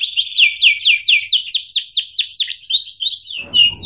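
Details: Canary delivering a series of rapid high down-slurred chirps, about four per second, ending on a thin whistled note with a soft rustling noise. The song is used to coach young canaries and reawaken silent ones.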